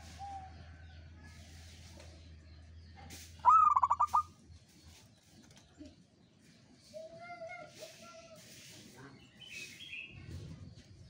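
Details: Local Indonesian zebra dove, uraa umum style, singing actively: one loud stuttering cooing phrase early on, then quieter bird calls and background noise.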